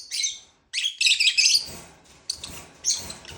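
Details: Lovebird chirping in shrill, buzzy bursts, a dense chattering run in the first second and a half, then quieter scattered chirps after a short pause.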